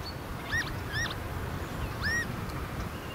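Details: Northern lapwing at a young wet meadow pool on a farm, filmed from a new bird hide on a sunny day with a hard north wind: three slurred, arched whistled calls at a fairly high pitch over steady low wind rumble.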